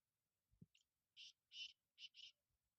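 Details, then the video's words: Black francolin (kala titer) giving a quieter call: one brief thin note followed by four rasping, harsh notes in rapid succession, the last two nearly joined, over a faint low background rumble. "kala titer"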